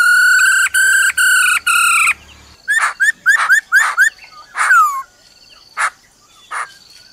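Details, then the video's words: Female laughingthrush calling "ro ro" to stir up a male: a run of steady, harmonic-rich whistled notes, then rising and falling whistles and short broad bursts at irregular intervals. "Khướu mái ro ro kích trống"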